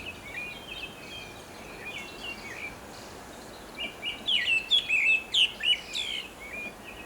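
A Pale Thrush sings short, clear whistled phrases with a few twittering notes, soft at first and then louder, over a steady hiss of background noise.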